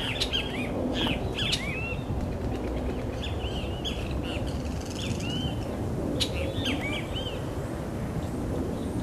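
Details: Scarlet-headed blackbird: a run of short arched whistles, each rising then falling, given in loose clusters across the whole stretch, with a few sharp clicks over a constant rushing background noise.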